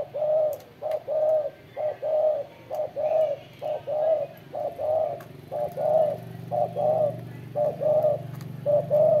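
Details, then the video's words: Spotted dove giving steady, hollow coos: a long series of short two-part hoots repeated roughly twice per second over a low constant hum. "CHIM CU GÁY SIÊU GÙ"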